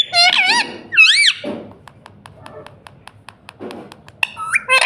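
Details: Pet ring-necked parrot saying "mummy" indoors: two quick wavy harmonic syllables, then a looping arched phrase, followed by a regular ticking background and more chatter at the end.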